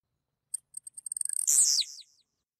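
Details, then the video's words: One song of a Blue-black Grassquit: a quickening series of sharp, high clicks that leads into a single loud, buzzy downward-sliding burst, then silence. "Tizil Cantando"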